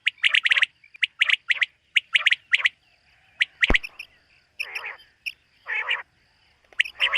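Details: Common quail calling on a summer meadow morning: a quick run of clear whistled notes in small groups, followed by harsher rasping calls and a sharp click.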